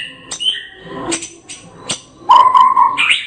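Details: National champion white-rumped shama, Medan type, delivering ngerol song: sharp clicks and short whistles, then a loud, sustained warbled whistle that rises at the end.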